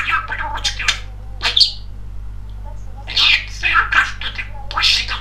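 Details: Pet male budgerigar (Melopsittacus undulatus), a very chatty talker, chatters in quick, scratchy, speech-like bursts with warbled squeaks and clicks, pausing briefly midway, over a steady low hum.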